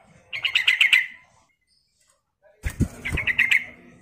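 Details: Female sooty-headed bulbul calling the male: two quick bursts of chattering, pulsed notes with a pause between them, the second preceded by a loud thump.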